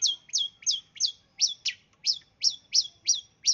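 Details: East Java long-tailed shrike in 'sembur' song, suited as a lure for other birds: a steady series of about eleven sharp, high whistled notes that slur down, each roughly a third of a second apart, in a quiet background.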